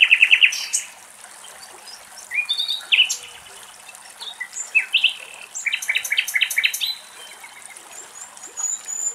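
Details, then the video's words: Common nightingale in Greek nature singing varied phrases of fast repeated notes, bright whistles and high buzzy trills, with short pauses between bursts, over faint background hiss. "Nightingale song"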